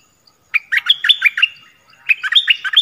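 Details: Two rapid chattering phrases from a decoy bulbul luring wild birds, 16 March 2021. Each is a run of bright, jumpy chirps, and the second follows the first after a short gap.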